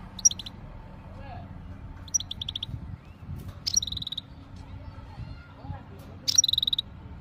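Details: European goldfinch, local name meqnin, from Jijel, Algeria, said to be ready to mate. Four short phrases, each a sharp high note and then a quick buzzy rattle, spaced one to two seconds apart over a low background hum.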